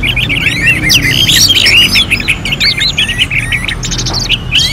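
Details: Contest-simulation song of the orange-headed thrush, meant to spur other birds to sing: a busy jumble of quick chirps, twisting whistles and short trills, with overlapping high notes and brief sharp accents.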